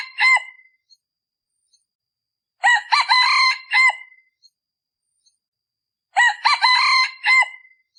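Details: Male red junglefowl decoy bird, kept for luring wild junglefowl, crowing in the cool season as the winter wind arrives; three hoarse, harmonic crows with a rising then falling shape, spaced about three seconds apart in quiet surroundings.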